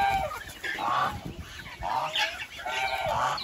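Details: Short nasal goose honks in quick, irregular succession, roughly one per second, against a rough background.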